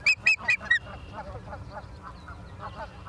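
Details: Four loud, sharp, high-pitched whistled chirps from an osprey at its nest in Charlo, Montana, on the evening of 28 September 2023. They are followed by a steady patter of quieter, lower calls.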